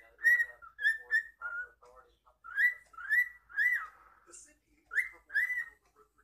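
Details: Indoor pet cockatiel performing for the camera, giving bright whistled notes that rise and bend, in quick pairs and short phrases about every half second, with a brief hissy burst midway and soft chatter between.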